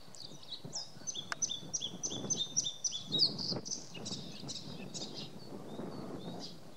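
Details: Bluethroat recorded in April 2017 in the Volga region of Russia: a fast series of sharp, high metallic notes, several repeated evenly at about four per second, then looser chirps and trills, with faint low background noise.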